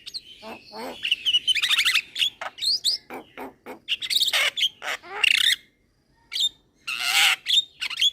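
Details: Energetic song of a young Javan myna nodding its head: dense chattering, rattles and squeaky whistles in quick succession, a brief pause, then more broad harsh bursts and chirps.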